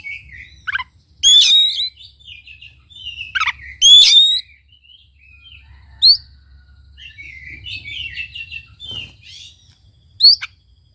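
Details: Oriental magpie-robin song for prompting a non-singing bird: rich varied whistles, trills and chattering phrases broken by loud harsh rasping bursts, with occasional sharp high notes at uneven intervals.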